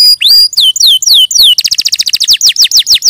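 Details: Canary song beginning with several rising and falling looped whistles, then switching to a quick series of short descending notes repeated about eight times a second.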